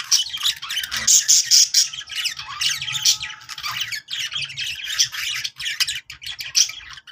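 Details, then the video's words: Budgerigar chatter meant to set other budgies singing: continuous raspy squawks, clicks and warbled notes in rapid bursts over about seven seconds, with occasional sharp high chirps and short gaps. "budgies sounds to make them sing"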